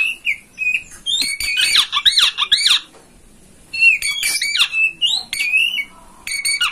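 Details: Oriental magpie-robin (kacer) master song, played so a kept kacer opens its tail and sings. Loud, varied phrases of sweet whistles and harsh rasping notes, a burst over the first three seconds, a brief pause, then a second busy burst.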